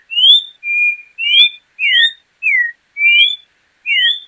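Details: A troupial (João-pinto) gives a steady run of seven clear whistles. Upslurred notes alternate with level and downslurred ones, each about a third of a second long and separated by short gaps. No background noise.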